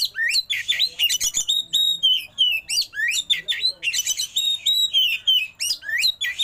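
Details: Oriental magpie-robin singing a rich, varied song: fast whistled phrases, upslurred and downslurred notes, and buzzy trills crowding together at a brisk pace, loud and continuous throughout.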